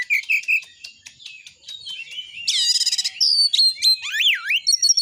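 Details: White-rumped shama song intended to stir shamas into singing and fighting: short high notes, then a harsh buzzy burst, followed by loud looping whistled swoops and quick rising slurs.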